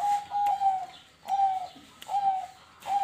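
A zebra dove coos in soft, mid-pitched, slightly wavering notes, each about half a second, repeating roughly every second, with sharp clicks between them.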